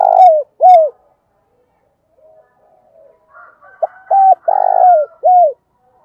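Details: Decoy spotted dove calling loudly. Two downslurred coos end one phrase, then soft distant bird sounds. A second phrase follows: a brief note, a steady coo, a long rolling croo and a falling final coo.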